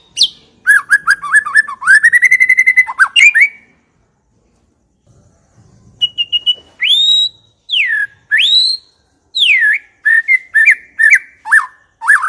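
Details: White-rumped shama song played as a lure to make other shamas answer: rapid repeated whistled notes, a sustained trill, then loud clear rising and falling whistles in a long, varied sequence.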